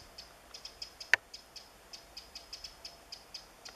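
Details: Eurasian wren calling in woodland while searching for insects, 27 July 2014: thin high ticking notes repeated several times per second in an irregular series, with one louder sharp click.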